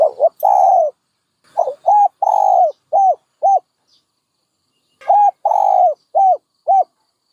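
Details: Two phrases of hollow, rounded coos from a dove, each with a stretched middle note among shorter arched ones, separated by a gap of about a second. Nothing else is heard.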